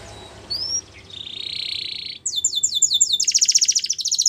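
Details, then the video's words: Belgian canary singing as training material for young birds: a faint high slur and a buzzy held note, followed by loud rapid trills of short repeated notes. "Canary Singing For Training | Belgian Canary Singing"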